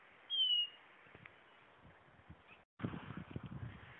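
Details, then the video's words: A blue-naped chlorophonia gives one clear, high, slightly falling whistle, followed by a faint background hiss and soft low thumps. "Canto!! Guaturamo-Bandeira"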